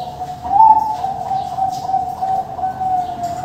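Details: Captive-bred adult zebra dove of the Bangkok type from a Tasikmalaya, West Java breeding farm: a continuous low, rolling, purring coo that hardly changes pitch across three seconds.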